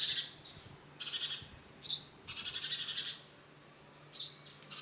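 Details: A young house sparrow trying its first flight gives harsh, rasping chirps in quick pulsed bursts, about five bouts in five seconds, over a faint low hum.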